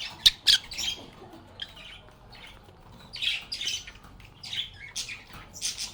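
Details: Playing lovebirds (Agapornis) giving harsh, high squawks: two sharp cries at the start, then raspy chattering bursts returning in clusters every second or so.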